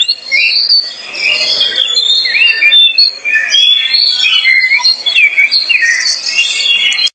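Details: An albino Oriental magpie-robin (Copsychus saularis) in a vocal test sings a loud, varied run of whistles, slurred rising and falling notes and scratchy phrases, with hardly a pause.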